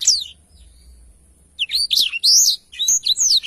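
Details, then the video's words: Black-throated canary singing for use as a training tutor: a thin high slur, a pause, then loud rising-and-falling whistled notes and sharp chips in quick succession. "blacktroath gacor cocok untuk masteran"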